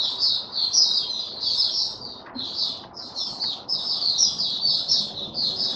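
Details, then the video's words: High, run-on twittering warble from a male white-eye in opening song while stabilizing his form, with one short break midway. "Mata Puteh Raja Stablizing his form buka sing"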